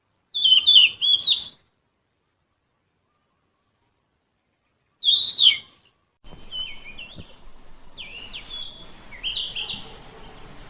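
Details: In Bogor, a Yellow-rumped flycatcher sings short, clear, warbled whistle phrases, high and slightly rising, with gaps between them; later phrases are softer against a steady background hiss.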